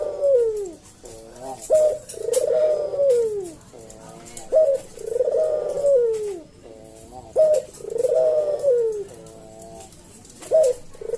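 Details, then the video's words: Slow senggang cooing by a caged collared dove (puter jawa) used for tutoring and luring: four even kuk-deruk phrases, each a short clipped note followed by a long, smooth, descending coo, with faint background hiss. "Burung puter jawa kuk deruk manggung merdu suara SLOW SENGGANG"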